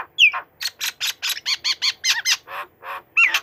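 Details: Tame white-rumped shama singing loudly while perched on a person's hand; a quick run of about a dozen harsh, buzzy, harmonic notes roughly every fifth of a second, opening and closing with a clear high whistled slur.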